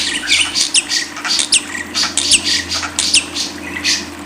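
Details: Lovebird giving clipped, piercing squeaks and short squawks in quick bursts a fraction of a second apart, with a soft low hum behind.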